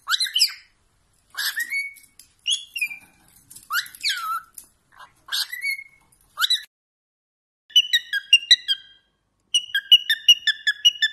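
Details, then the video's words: Pet cockatiel song for whistle training: scattered rising and falling whistles with bright squeaky overtones, then quick bursts of short chirped notes repeated rapidly, with silent gaps between phrases. "cockatiel bird singing and talking"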